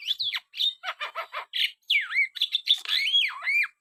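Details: Singing Black-winged starling giving looping whistled slurs that rise and fall, interspersed with quick harsh chattering notes, all loud and close.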